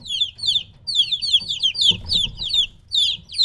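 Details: Chicks about three weeks old, kept apart from their mother and very noisy, giving shrill downward-sliding peeps in quick bursts separated by short pauses, many voices overlapping over a soft low hum.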